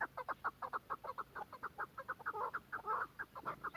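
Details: Chukar partridge of Quetta uttering quiet, evenly paced chuck notes about every fifth of a second, a few drawn into slightly longer, rougher syllables.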